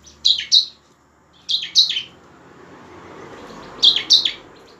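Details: Bar-winged prinia (ciblek) in lively, emotional 'ngebren' and 'nembak' song style, used as a lure to make lazy birds sing: bursts of two sharp, high notes that drop in pitch, repeated roughly every one and a half seconds over a faint low hum.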